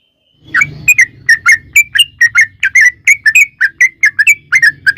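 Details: Sooty-headed bulbul, described as a female calling the male, in a long rolling song used as a lure to make other bulbuls sing: bright whistled notes around a steady mid pitch, repeated rapidly about three per second, some slurred and rising, with a faint low hum beneath.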